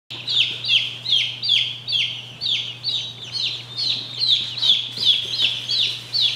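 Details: Saxony ducklings, a domestic duck breed, peep steadily. High, downward-sliding peeps come about two to three times a second, some overlapping, over a constant low electrical hum.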